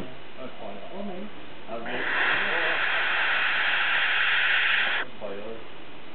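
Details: Barn owl chicks, three in an exposed nest on a ledge under ivy, County Kerry, Ireland, 2009, give one long, harsh, breathy hiss lasting about three seconds, with people talking quietly before and after.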